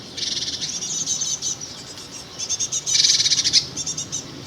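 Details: Young great tits, probably a second brood, call from a nest in the old Ringlestone Inn sign, North Downs, Kent, late May, in a hissing, buzzy chorus of rapid high bursts coming in two surges, under cloudy skies.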